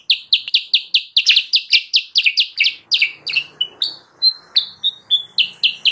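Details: Sooty-headed bulbul, played as a lure for wild birds: fast rattle of sharp chirps for three seconds, slowing into spaced, varied whistled notes.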